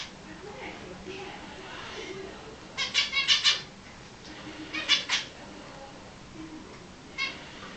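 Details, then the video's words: Finches in a cage give short bursts of bright, clipped chirps, three or four quick notes at a time, repeated a few times over steady low background noise. "finches in a cage"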